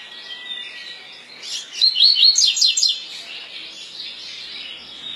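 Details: Double-collared seedeater delivering its 'tui tui' song: a sudden loud string of quick, zigzagging high whistles, roughly a second long, set against steady soft background twittering.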